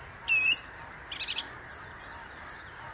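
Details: Song thrush singing from the top of a tree by the Inn River: a clear whistled note, then a short buzzy burst and several thin high squeaky notes with pauses between them, over a steady background hiss.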